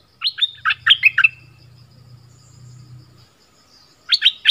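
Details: Bubbly chirped phrase from a southern Thai decoy bulbul, several sharp notes with a trailing whistle, followed by a steady low humming drone and then the start of another phrase.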